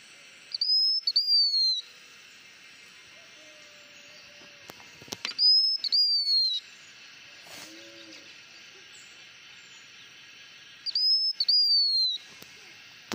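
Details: Blue-winged minla in hót mồi lure singing: clear high whistled notes that dip and slur down, repeated about every five seconds, with a brief low hoot between phrases.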